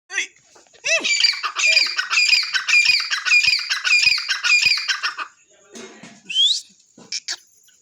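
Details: Grey francolin calling: a loud run of harsh, high, repeated squawking notes, almost two per second, over about four seconds, followed by a few fainter chirps, with a steady high hiss in the background.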